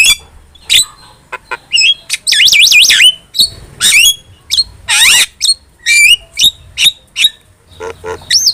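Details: Vigorous starling song for training pet starlings: long warbling whistles that wave up and down, a harsh rasping burst, and repeated short hooked whistles spaced about every half second.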